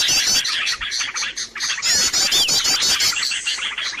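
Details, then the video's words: Noisy bird lure recording used to attract birds: a dense, busy chatter of many high chirps and rapid trilled notes, overlapping continuously with brief dips in loudness. "SUARA PIKAT BURUNG RIBUT"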